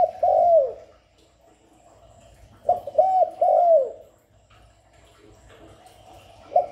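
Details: Spotted dove calling as a lure to stimulate other doves: a long falling coo, then a phrase of three soft coos with a drawn-out, sliding final note, and a brief start of another at the end.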